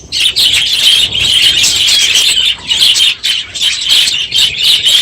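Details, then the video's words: Noisy budgerigar flock in an aviary one morning at the end of the breeding season; continuous high-pitched chattering, chirps and warbles overlapping, with a few brief dips in volume. "My Budgies Today - NOISY birds this morning!"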